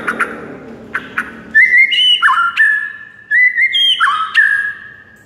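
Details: White-rumped shama song to make a quiet bird sing: a few short chips, then two long phrases of smooth, loud whistles that rise, hold, and drop in clear steps.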